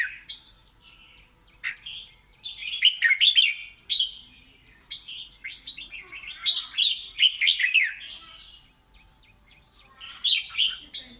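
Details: Red-whiskered bulbul from Laos singing: bursts of bright, warbled, slurred phrases in a high, rich register, grouped in lively clusters separated by short pauses, with a quiet background.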